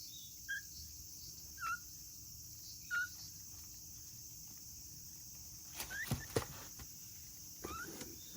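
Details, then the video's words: African grey parrot chick born in August 2020, kept alone and calling as if lonely: three soft, short, downslurred squeaks about a second apart, followed by rustling clicks and a few brief higher notes over steady room hum. "とても鳴き声が可愛い2020年8月生まれのヨウムの雛 African Grey Parrot"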